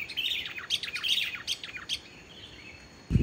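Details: Sooty-headed bulbul singing vigorously, without mimicked phrases, to prompt quiet bulbuls to sing. Rapid, jumbled whistled notes run for about two seconds and then fade. A loud low thump is heard at the end.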